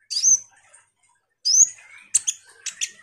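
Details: Common iora in full, chatty song, used as a lure to provoke sunbirds into responding: two sharp whistled notes sliding downward at high pitch, then a quieter rising whistle and a cluster of quick chips.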